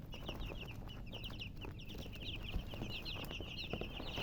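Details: Chicks chirping: dense, high, bouncy peeps in quick succession over a steady hissing, rumbling background.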